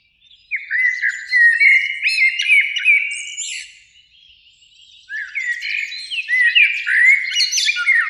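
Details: Eurasian blackbird singing in spring from a beech tree near a lake in evening sun, two birds present; two fluted, warbling phrases of mellow whistles, each trailing into a higher, squeaky twitter, with a short pause between.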